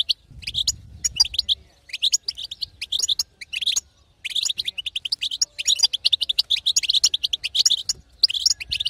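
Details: Female European goldfinch 'batbata', a call to rouse a silent male into song: sustained, rapid twittering with fast chirps repeated in long runs and a couple of brief pauses.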